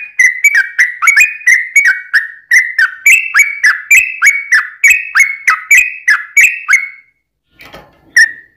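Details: Sooty-headed bulbul giving a long ropel song, used as a lure so other bulbuls answer: quick strings of clear whistled notes with sharp slurs, about three per second for seven seconds, then a short pause and one more note.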